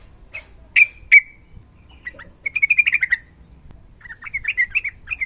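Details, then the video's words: Sooty-headed bulbul, fighting style, with a female heard calling a male. Two loud sharp chirps, a few soft notes, then a quick rolling trill of bright syllables and a final warbled phrase. "TRUCUKAN GACOR NARUNG ROPEL PANJANG MASTERAN TERBAIK UNTUK BURUNG TRUCUKAN SUSAH BUNYI"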